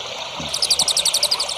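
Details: Songbird in a training recording for young songbirds, giving a fast, high, buzzy trill of evenly spaced notes that starts mid-clip and continues steadily over light background noise.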